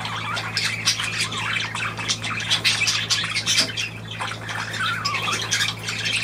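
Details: Busy budgerigar warbling, with scratchy notes and a few clearer rising and falling whistled chirps over continuous chatter and low mains hum.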